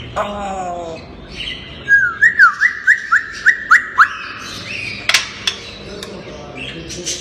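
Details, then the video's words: Playful talking pet grey parrot giving a quick run of eight short, clear whistled notes, each sliding upward, evenly spaced about a quarter second apart, with softer chatter before and a sharp click afterward. "ببغاء كاسكو لعوب ناطق"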